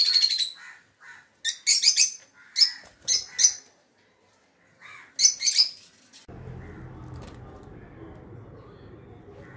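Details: Rosy-faced lovebird, also called African lovebird, giving loud, sharp chirps in short bursts, high and shrill, repeated in clusters with pauses; low background hum starts near the end.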